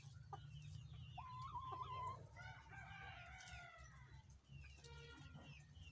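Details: Peela Aseel rooster from an old bloodline, kept as a pair, crowing: a short rising note, then a longer harmonic-rich drawn-out crow, over steady low hum and scattered small bird chirps.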